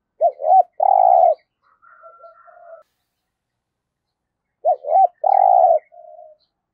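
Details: Spotted dove kept as a trapping decoy, cooing in 'giọng thổ' style: two quick notes and a drawn-out full coo, followed by faint low coos and a thin steady whistle-like tone, repeated about four seconds later.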